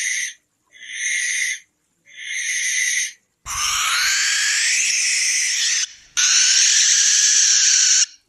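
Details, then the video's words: ['Night-time barn owl screeches: four short harsh rasps in quick succession, then two longer, louder drawn-out hissing screams, the first opening with a brief low rumble.'] "লক্ষী পেঁচার ডাক | Lokkhi Pechar Dak | Barn Owl Call at Night | Barn Owl Screech Sound"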